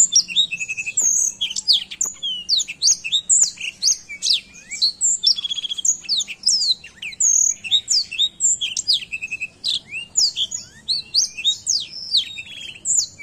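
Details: Black-throated canary in full, active song as tutor material for other birds: a long, rapid stream of high, thin chirps and slurred whistles, continuous and busy, with a faint low hum behind.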